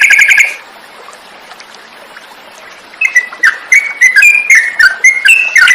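Sooty-headed bulbul: a brief loud chattering burst, a pause, then bubbly, liquid phrases of quick rising and falling notes tumbling out several times a second.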